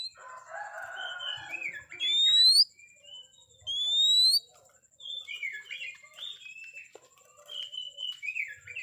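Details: Oriental magpie-robin singing to raise the fighting anger of rivals: two long rising pure whistles some seconds apart, set among softer warbled phrases and short descending notes, with a faint steady high tone throughout.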